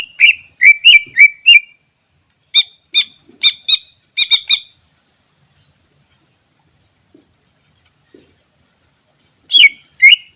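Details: Wild greater green leafbird song meant for luring birds: bursts of sharp chipping notes and slurred whistles in clusters, pausing several seconds before a final pair of notes; no other sounds.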